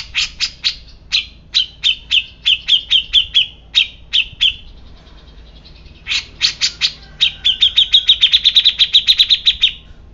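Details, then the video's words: Agitated grey-cheeked bulbul calling in long bouts of sharp clicking chips, starting spaced and speeding into a rapid rattling series near the end, with a brief quiet gap midway. "Cucak Jenggot Bisu Langsung Emosi"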